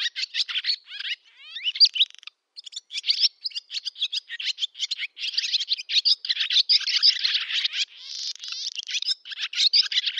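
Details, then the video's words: Barn swallow singing its summer song in Zamoshye village, Novgorod oblast, Russia, 8 August 2013: a fast, continuous twittering warble of chattering notes with a buzzy rattle near the end, clean background. "Ласточка-касатка, или деревенская ласточка Hirundo rustica, летняя песня / Barn swallow song"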